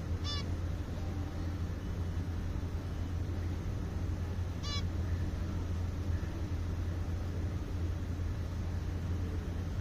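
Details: A female zebra finch in a garden gives two short, nasal, honking calls, a few seconds apart, over a steady low hum.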